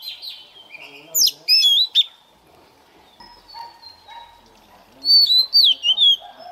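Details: White-rumped shama used as a decoy, singing for morning voice training: short bursts of piercing whistled notes with long quiet gaps, faint lower sounds and a brief low tone in between.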